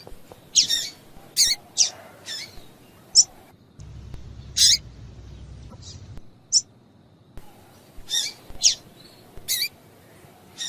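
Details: Female double-collared seedeater calls, meant to stir males to sing: bursts of sharp, high, thin chips, a pause with a low hum, then more paired chips.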